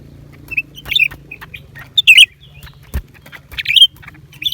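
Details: Lesser green leafbird delivers quick warbled whistle phrases and high chirps in irregular bursts, while light tapping and a low background hum continue underneath.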